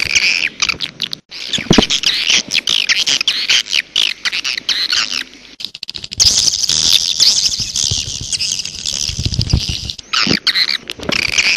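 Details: Grey-breasted prinia calls used to lure wild birds: dense, loud, buzzy chattering notes in rapid bursts, broken by short pauses and scattered clicks.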